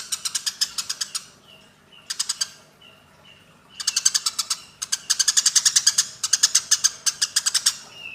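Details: Fighting Eurasian tree sparrows make rapid bursts of harsh, high chirps in several groups, separated by pauses with soft thin whistled notes.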